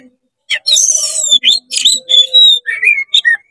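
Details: Energetic oriental magpie-robin song, delivered fast with tail spread to rile up other magpie-robins: harsh buzzy bursts, high slurred whistles and a clear sustained whistle in a loud, nearly unbroken string of phrases.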